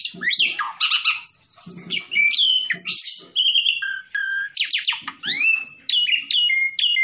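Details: Black-collared starling song meant for playback to provoke a rival into singing: loud, varied whistles, sharp rising and falling sweeps and buzzy rattled notes in quick bursts, with faint low clicks beneath.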